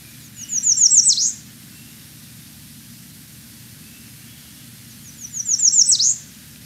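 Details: American redstart on St. John, US Virgin Islands, giving its call rather than song since it sings only when breeding: two bursts of thin, very high accelerating notes ending in a sharp downslur, about five seconds apart, over low hum.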